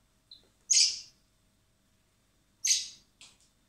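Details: Common blackbird chicks fed by hand in spring at a recovery centre prior to release; two loud, harsh, high-pitched begging squawks about two seconds apart, followed by a short softer chirp.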